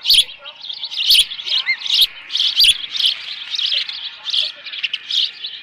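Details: Osprey at a nest with leftover fish, recorded 13 June 2018 late morning; a steady run of short, high, sharp chirps, roughly two to three per second, with a few soft low thumps from movement on the nest.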